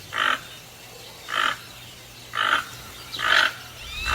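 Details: Toucan calling: loud, hoarse croaking notes delivered one at a time about once a second, each short and raspy, steady and insistent, with a faint low background hum.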